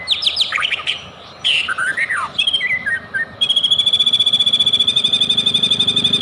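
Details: White-rumped shama lure song to draw out singing: sharp downslurred whistles and chattering notes, then a long fast pulsed trill lasting nearly three seconds.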